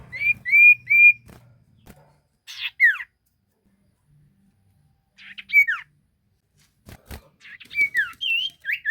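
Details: Sirtu bird singing, used as a lure recording to prompt other sirtu to answer: three short whistled notes at the start, then scattered sharp downslurred whistles and twisting phrases separated by quiet gaps, with a few clicks.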